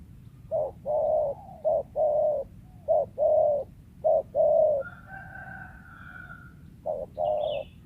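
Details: Wild spotted dove prized as a lure bird, its voice sometimes stuttering. Low hollow coos in short-then-long pairs, repeated about once a second, with a faint drawn-out higher call from another bird in the background midway.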